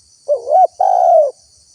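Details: Spotted dove used to lure wild birds: one two-part coo, a quick rising warble followed by a longer level hoarse note, with a faint high hiss in the background.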